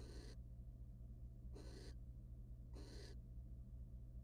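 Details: Wild barn owls inside a monitored nest box during mating and feather preening; three breathy, snore-like hisses spaced over a second apart, above an unbroken low hum.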